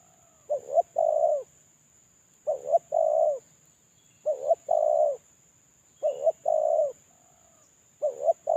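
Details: Spotted dove used as a lure bird, currently moulting, giving its lure call: low hollow cooing phrases of two short notes followed by a longer drawn-out coo, repeated about every two seconds, five phrases, quiet background with a steady faint high tone.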